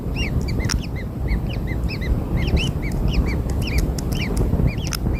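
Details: Begging chirps from newborn kingfisher chicks receiving black insects: quick arched peeps, several voices overlapping, with scattered sharp clicks and a steady low hum underneath.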